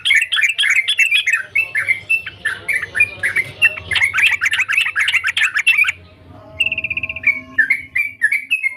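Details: Trucukan, the sooty-headed bulbul, in full voice: six seconds of fast, chattering, bubbly phrases with sharp upward and downward flicks, a brief pause, then a buzzy pulsed note and a few chirps.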